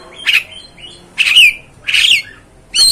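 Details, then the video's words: Oriental magpie-robin giving provoking notes to stir up another magpie-robin: three or four hoarse, squawky calls with a buzzy edge, each about a third of a second, spaced roughly every three-quarters of a second. "MEMANCING | MEMBAKAR EMOSI KACER ANDA"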